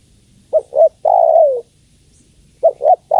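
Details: Female spotted dove calling the male: one complete phrase of two short husky notes and a long coo sliding downward, then the next phrase begins after about a second's pause.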